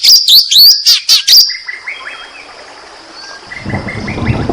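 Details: White-rumped shama song used as a lure to stir quiet shamas into singing: a fast burst of high, sharp chirps and sweeping notes, then a thin sustained tone with softer scattered whistles, ending over low rumbling background noise.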